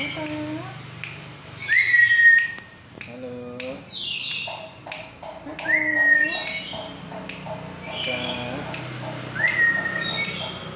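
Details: Black-capped lory kept tame and talkative indoors, giving three clear upslurred whistles spaced a few seconds apart, mixed with rasping squawk bursts and voice-like tonal phrases.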